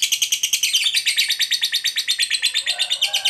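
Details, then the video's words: Long ngekek from a fighter lovebird, played to provoke other lovebirds into singing: shrill, fast, evenly pulsed chattering notes throughout, with a lower tone briefly joining near the end. "Pancingan Lovebird FIGHTER Ngekek Panjang, Lovebird BAHAN SUKA DIAM Langsung PANAS AUTO NYAUT"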